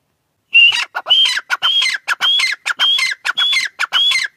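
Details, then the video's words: Grey francolin, a female, calls in a steady chain of phrases, each a bright rising whistle followed by harsh ratchety clucks, seven phrases repeated at under two per second. "gray francolin teetar sound | Female teetar awaz"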